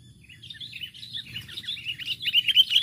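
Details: Sooty-headed bulbul calling out to a rival bird, a lure call: continuous chattering run of quick, bubbly chirps that grows steadily louder toward the end, with a faint low rumble beneath.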